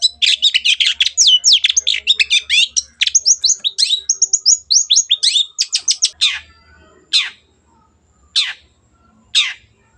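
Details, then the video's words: Energetic Long-tailed shrike song serving as a lure for reluctant birds: a packed burst of rapid mimicking twitters and whistled sweeps for six seconds, followed by three spaced sharp single notes. "CENDET GACOR PANCINGAN MENGATASI BURUNG MACET ATAU BAHAN AGAR RAJIN BUNYI"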